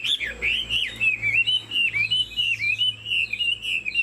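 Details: Captive Chinese Hwamei singing with a nodding, dancing display. A continuous, clear whistled warble wavers smoothly in pitch, phrases bending up and down in steady pulses.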